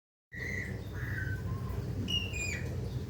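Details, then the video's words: Golden myna, a rare Papuan bird described as beautiful and melodious, giving a few clear whistled notes: a steady high whistle, a falling slur, then higher sliding notes near the end, over a constant low hum. "Burung Langka Jalak Emas Papua (Golden Myna) Cantik dan Merdu"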